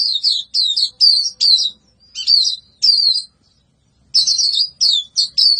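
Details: Energetic white-eye song: fast runs of high, sharp, slurred notes in short repeated bursts, one longer pause midway, nothing else audible.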